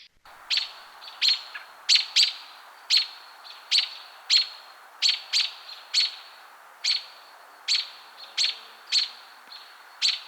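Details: An American Robin gives sharp, high putt and tuck alarm notes, single or doubled, roughly every half second to second; usually an alarm call, often given when a predator threatens the nest.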